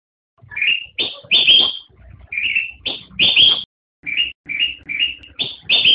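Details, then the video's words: Black-crested bulbul song: repeated short phrases of clear, slurred whistles, some rising, others ending in a loud rich flourish, delivered almost continuously with brief gaps and faint low background rumble. "Suara Burung Kutilang Emas"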